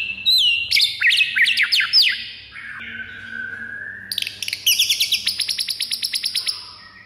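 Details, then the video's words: Provoking fighter song of a white-rumped shama: varied whistled notes sliding down, a sustained lower whistle, then a fast run of sharp repeated high notes. "MURAI FIGHTER PENDONGKRAK EMOSI DIJAMIN NGAMUK DALAM HITUNGAN DETIK"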